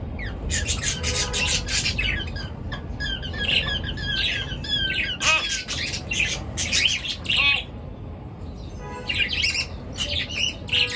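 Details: Several pet birds chatter at morning time, with fast scratchy squawks, short rising and falling whistled notes and a few buzzy trills, nearly nonstop, over a low steady hum.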